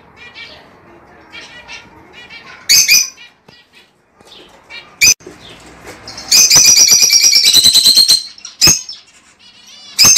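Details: Lovebird mating call for breeding pairs: scattered soft chirps and sharp clicks, then a loud sustained run of rapid shrill chirps lasting about two seconds, followed by a few isolated sharp notes.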